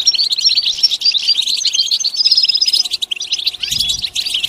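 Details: European goldfinch singing a lively mix of sharp chirps, short whistles and liquid trills, with a soft low knock near the end.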